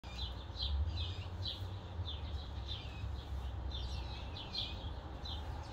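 Young Blue Jay giving harsh, buzzy, downslurred calls, several each second, over a steady low rumble.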